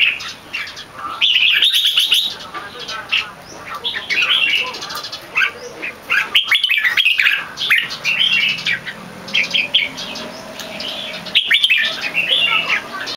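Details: Competition red-whiskered bulbul, not yet in full form, repeating its loud, clear, long keke: energetic warbled phrases of a few seconds each, separated by brief silent breaks.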